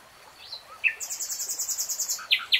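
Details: Nightingale phrase opening with a few soft slurred notes, then a rapid high rattling trill lasting over a second, ending in two sharp loud chips; gentle background water noise.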